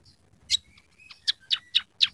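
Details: Scaly-breasted munia, or emprit peking, in a lively chirping session said to carry fill-in sounds of canary, sparrow and red siskin: short, sharp high chirps, about five spaced across two seconds, with faint low background rumble.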